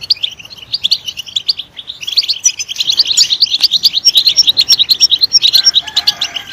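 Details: European goldfinch singing, used to stimulate other goldfinches to chirp: a loud, fast, continuous twittering of high tinkling notes and buzzy trills, growing denser and louder after the first two seconds, with no other clear sounds.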